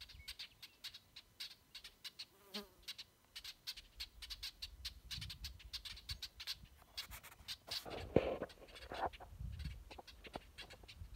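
Brewer's Blackbirds give sharp, dry check notes, repeated irregularly by several birds at once, over a low background rumble.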